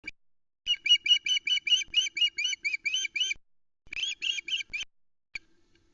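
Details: Female osprey on the Loch Arkaig nest, Scotland, 2 July 2020, fish-calling in indignation after the male flew off with an uneaten trout; loud series of shrill piping whistles, about two per second, in two bursts. Nest-camera recording.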